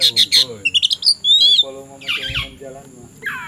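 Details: Oriental magpie-robin (kacer), afternoon, ready to fight a rival: loud rapid whistled notes repeated in quick bursts, then a long descending whistle and harsh scratchy phrases, with faint speech underneath.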